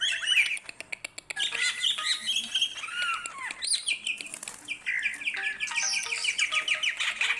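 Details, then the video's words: Greater green leafbird in sustained song for training songbirds: varied whistles, slurred arcs and chattering trills run together, with a quick repeated-note series near the end and faint wing-like rustles. "burung cucak ijo gacor.joss buat masteran dan pancingan"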